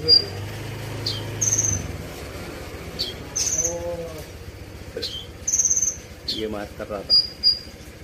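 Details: Brown-throated sunbird singing an "isian" filler song of sharp, high whistled notes, some held and some clipped, spaced roughly every second amid quick downward chips and faint lower chatter.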